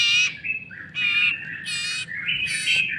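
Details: Young common iora being fed by hand, uttering three loud grating squawks about every 0.7 seconds, linked by a thinner buzzy whine.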